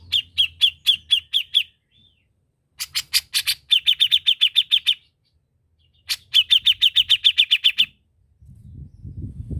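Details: Gacor-style song of a grey-cheeked bulbul, the cucak jenggot, recorded as a master track: rapid trains of harsh, clipped notes, about three or four each second, in several bursts with gaps, ending on a low rumble.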